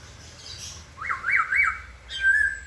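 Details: White-crested laughingthrush song: three quick rising-falling fluty notes in a row, followed by a longer level whistle, over soft background hiss.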